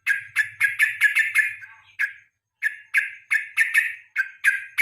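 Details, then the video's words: Evening lure song of a yellow-vented bulbul, kept as a tutor for contest birds; loud, rich, bubbly notes repeated in quick bursts, a short pause midway, then the rhythmic series resumes. "KICAU PANCINGAN BURUNG TRUCUK SORE HARI"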